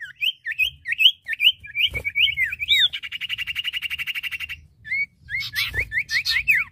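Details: Male and female common iora singing hard: quick zigzag whistled notes, a sustained rapid buzzy trill, then another burst of sharp upslurred whistles, with faint clicks beneath.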